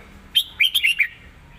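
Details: Red-whiskered bulbul delivering a crisp master-song phrase: five quick, loud, bright whistled notes slurring up and down within about a second, in quiet surroundings.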